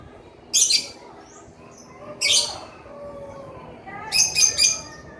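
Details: Male lovebird, kept as a cage bird, giving harsh, high squawking bursts, two single notes then a rapid triple burst.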